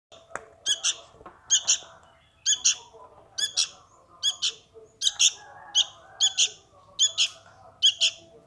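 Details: Sooty-headed bulbul chick calling its parent: sharp, harsh double chirps repeated roughly every 0.6 seconds in a steady series, over a faint low background hum.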